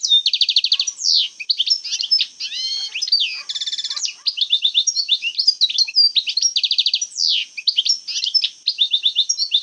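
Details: Algerian European goldfinch singing old-time 'jbadat khalawiya' phrases: repeated rapid trills, chattering tinkles, a buzzy rattle midway and lively high twittering throughout.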